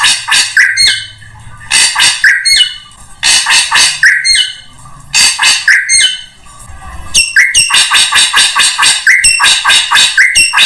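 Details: Drongo song used as a lure to attract all kinds of birds: loud bursts of harsh, buzzy chattering mixed with short whistled notes, in phrases about a second long with pauses, then a faster unbroken run of rapid notes.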